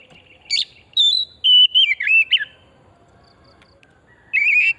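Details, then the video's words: Oriental magpie-robin from pristine forest, song lure to stimulate singing: a sweet flowing phrase of sliding, warbled whistles dipping lower, a silent gap, then a closing warbled note. "Pancingan burung kacer pesona hutan murni gacor"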